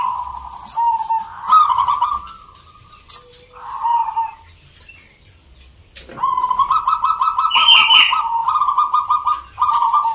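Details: Competing zebra doves in Salatiga, Central Java, where birds from many towns gathered; short trilled coos, a quiet pause, then a long continuous rolling trill with a brief higher note over crowd murmur.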